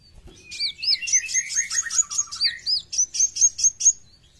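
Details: Caged brown-throated sunbird singing full besetan: swooping high notes and lower twittering, then a steady run of sharp, rising, high chips, about four per second.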